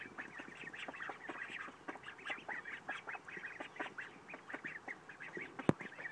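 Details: A group of Khaki Campbell and Mallard ducks gives dense, overlapping nasal calls. Short notes crowd together without a break throughout, and a single sharp knock sounds near the end.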